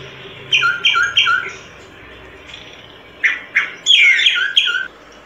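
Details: Solitary cacique delivering three quick nasal squawks, a pause, then two more and a dense, scratchy burst of overlapping notes with a final harsh call.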